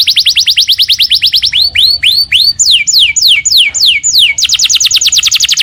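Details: Caged house canary pouring out song: quick repeated whistles, then slower drawn-out downslurred notes, ending in a rapid high trill.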